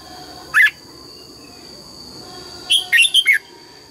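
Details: Morning song of a red-whiskered bulbul practising double-note phrases: one short bright whistle, a pause of two seconds, then a rapid run of four bubbling, rising-and-falling notes, with a constant high-pitched tone behind.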